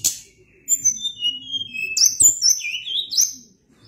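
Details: Tledekan gunung, the Sunda blue robin, in lively long-rolling song: thin whistled notes sliding downward, then a rapid run of clear rising and falling whistles after a sharp click, over a faint low hum.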